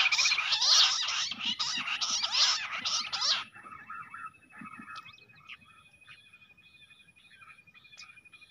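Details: Fighting jungle bush quail: a dense run of harsh, scratchy chattering for about three seconds, then quieter clicks and a thin, steady, high trill continuing to the end.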